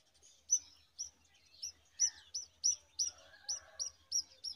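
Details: Brown rock chat chicks beg while a parent feeds them worms, giving sharp, high chirps, about two per second in a steady string, with a softer scratchy chatter in the middle.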